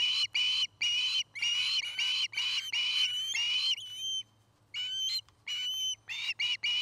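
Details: Osprey at a nest in Charlo, Montana, on a nest cam recorded 09-05-2018 in mid-afternoon, giving loud, high whistled notes in quick runs, the calls bunched in bursts with brief gaps, over a faint low hum.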